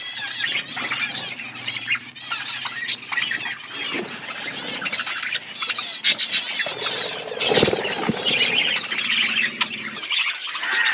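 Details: Budgerigars feeding in an outdoor aviary: a dense, overlapping chatter of warbled, scratchy chirps and squawks from many birds, with soft patter and wing flutters, continuing throughout.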